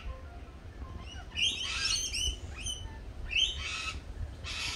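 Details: Lorikeet calls: sharp upslurred chirps followed by drawn-out rasping screeches, irregular and loud, over constant low background noise.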